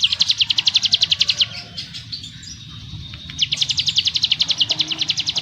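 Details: Mountain prinia (ciblek gunung) delivering bold, dense ngebrem song: a fast run of sharp, high, evenly repeated notes, a brief quieter pause, then a second rapid burst of the same notes.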